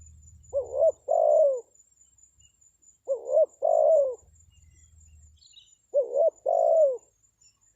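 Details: Spotted dove (tekukur) call used to lure wild birds: three repeated phrases, each a short rising-falling note then a longer falling coo, about every 2.5 seconds; faint low hum in background.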